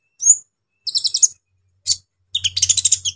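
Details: Brown-throated sunbird singing a harsh medley aimed at stirring rival sunbirds: a single high whistle, then rapid buzzy trills of stacked chirps, a short burst, and a longer rattling trill over a faint low hum.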